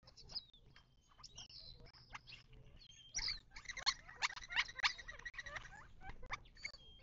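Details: Birds at a desert watering hole in the western Mojave, southern California, on 19 March 2024: a busy chatter of high chirps and whistles that thickens into rapid overlapping calls midway, with quick clicks throughout.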